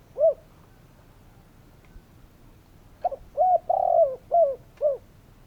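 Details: A single low coo from a spotted dove, a silent gap, then a full phrase of five notes with a drawn-out burring note in the middle.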